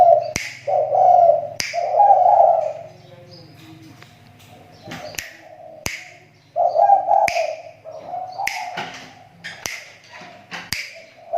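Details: Captive spotted dove used as a decoy in the Riau Islands, voice improving after a slump: low mellow coo phrases come and go, cut by repeated sharp clicks and a few thin chirps, over a steady low hum.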